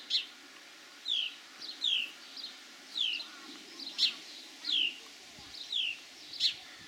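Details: House sparrows mating on a farm at Kotthausen, Wuppertal Beyenburg, on 20 June 2021: bright, downslurred chirps repeated irregularly, roughly every half second to second, with faint rustling and low background noise.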